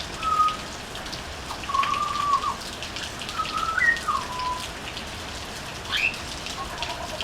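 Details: On a veranda a butcherbird sings slow whistled phrases: a short note, a long held tone, then notes that step up and slide down, and a final rising note, over steady hiss.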